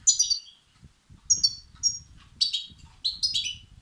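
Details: Begging of European goldfinch chicks, a sound used to excite males: sharp, high chirps grouped in short clusters about once a second, over a soft low background rumble.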